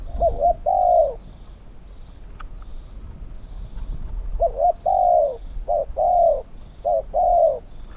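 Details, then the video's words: Spotted dove singing during a Thai dove-singing contest, a wild bird set against a captive cage bird: a short double coo followed by a long, falling coo, the phrase repeated about every two seconds, with faint high bird chirps behind. "ต่อนกเขาใหญ่ ต่อเพนียดเถรเปือย กับเซต็ปนกป่าเสียงกลาง"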